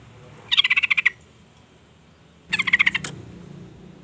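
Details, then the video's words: Female sooty-headed bulbul call used to lure a male: two quick rattling bursts of about eight harsh, evenly spaced pulses each, roughly two seconds apart, with low background hum. "suara panggilan trucukan betina EMOSI gacor pancingan bunyi burung trucuk jantan"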